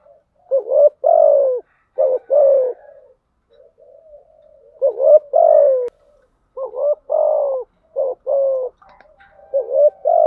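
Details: Lure-bird spotted dove, female, cooing rapidly to entice males. Phrases of stuttering short notes and falling coos repeat over about ten seconds with brief soft murmurs in a pause midway.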